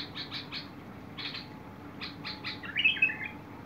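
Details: Bulbul singing, recorded 21 August 2022: a run of quick rasping chatter notes in small clusters, ending in a short clear warbled flourish, over constant faint hum.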